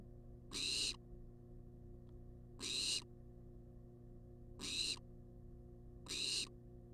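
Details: Wild barn owl in a monitored nest box, filmed on a live cam, demanding food with harsh hissing screeches, each about a third of a second long, repeated roughly every two seconds against a steady low hum.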